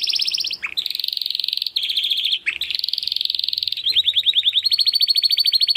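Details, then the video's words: Belgian canary pouring out a continuous loud rolling trill at high pitch, broken by brief dips, then quicker sweeping notes, with faint low background hum. "CANÁRIO BELGA CANTANDO ESTRALANDO !"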